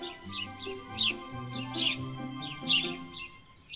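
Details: A house sparrow in Berlin, Germany, a city bird, chirps short bright notes repeated in small bursts about every second, over soft background music with low sustained tones.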